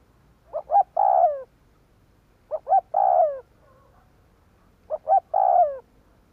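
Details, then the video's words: Decoy spotted dove cooing to lure in wild doves; three evenly spaced phrases, each two quick short coos followed by a longer descending coo, about every two seconds. "Tiếng Chim cu gáy Kích bổi hiệu quả ,Cu mồi gáy gọi bổi. Cu gáy kích bổi mở là gáy"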